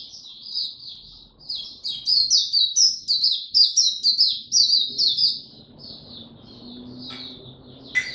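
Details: Oriental white-eye song recorded 25 January 2022, the bird having slept late the previous night. Fast, high-pitched jumbled chirping runs in an unbroken stream, tapering off near the end with a faint low hum beneath.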